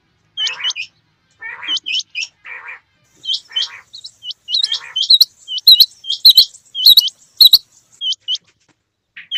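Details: Male and female quail in the rain give short, high, hooked chirps in quick clusters, mixed with lower raspy bursts, while a few sharp clicks or drips sound in the background.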